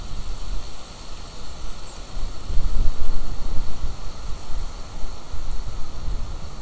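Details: Gusty wind buffets the microphone with a deep rumble and rustling, and no animal call comes through.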